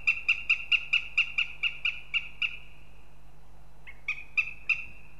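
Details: At a nest in Riga, Latvia, a northern goshawk gives a rapid chattering run of about eleven sharp, nasal kek notes, then after a brief pause a shorter burst of four, against constant low background hum.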